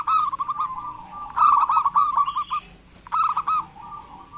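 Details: Energetic local zebra dove used to lure reluctant doves into calling, giving three rolling, stuttered coo phrases separated by brief pauses, with a softer trailing series at the end.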